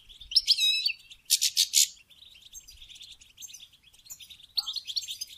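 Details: Goldfinch mating-stimulation song with a swift twitter, then three harsh buzzy bursts in quick succession, followed by a soft running twitter and rising chirps near the end.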